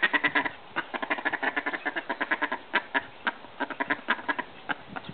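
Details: Call ducks, also known as bantam mallards, in Australia during flirting and mating, giving quick strings of raspy, nasal quacks repeated several times a second, with overlapping voices throughout.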